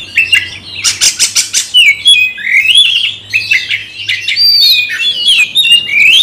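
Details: Provoked to fight a rival, a caged magpie-robin opens with a rapid rattle of harsh clicks, then continues with rising whistled slurs and warbled phrases, loud and high-pitched throughout.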